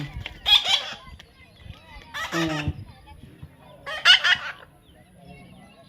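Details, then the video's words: Young parrot during taming, three loud raspy squawks roughly every two seconds, each short and harsh, with a person urging "come on" and speaking Bengali between calls. "natural funny parrot sound"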